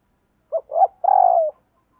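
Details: Morning call of a decoy spotted dove luring wild doves: a soft clipped note and a rising husky note, then a long throbbing coo that slides gently downward. The surroundings are quiet.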